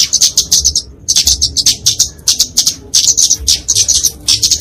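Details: Fighting song of a kemade flowerpecker, genus Dicaeum, used as a training and luring recording: very high, sharp, rapid chips in bursts roughly a second long, broken by brief silent gaps.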